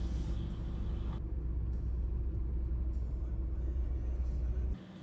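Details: Deep engine rumble from a moving road vehicle, with faint music in the background and no animal voice.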